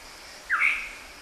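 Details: Black-hooded oriole giving a single clear, slightly nasal note that rises quickly and then holds level for about half a second, over quiet background hiss.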